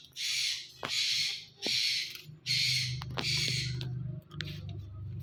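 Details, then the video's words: Indian ringneck parakeet talking, said to repeat "Mithu Mithu": four loud, hoarse, breathy phrases about half a second to a second long with short gaps, over a low steady hum. "Ringneck Parrot Talking Mithu Mithu"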